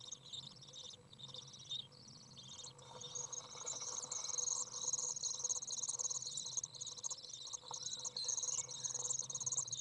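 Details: Common Swift young out of the nest on a very warm day of 30 degrees, fed by a parent, 27 June 2011: a loud continuous high buzzy trill that builds after two seconds and holds steady, with a low background hum.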